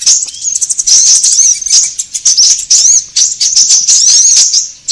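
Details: Sunbird lure recording used to attract birds and train cage birds: dense, continuous high-pitched chirps and thin twittering notes, with rapid upward-sweeping squeaks tumbling over one another without pause.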